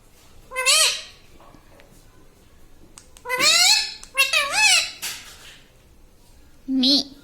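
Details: Pet parrot saying "Mummy" in a small room: three bursts of rising-and-falling, nasal, harmonic syllables with quiet pauses between, ending with a short lower-pitched squawk.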